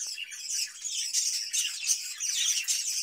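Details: Caged budgerigars in the summer heat, fed cucumber; a brief, dense high warble of buzzy, rolling chirps and scratchy notes, lively and unbroken throughout.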